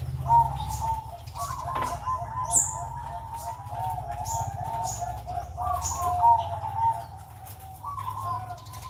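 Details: Sunday-morning zebra dove, or perkutut, cooing in long bubbling, throaty phrases that start with a slight jump and then run level, repeated several times, with scattered high chirps from other birds in the background.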